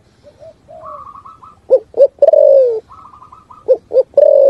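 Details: Spotted dove cooing in the 'thúc gù' style amid forest: quiet soft notes and a rapid run of higher, even notes, then loud short coos and a long falling coo, the pattern repeating.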